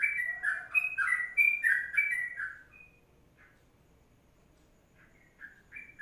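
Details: Sooty-headed bulbul, recorded as a master track in the long 'ropelan' style. A burst of rapid, fluty whistled phrases fills the first three seconds, then silence, then a few more whistled notes resume near the end.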